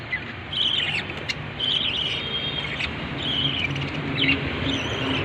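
Lovebirds give shrill, high chattering and squeaky chirps in bursts every second or so, over a steady low rumble of traffic.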